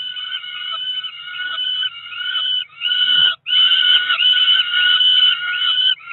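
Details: Cromer Peregrine falcon nestlings, two ringed chicks near four weeks old, begging at feeding time in June 2023: long rasping wails with wavering pitch, one brief break, then a loud sustained cry.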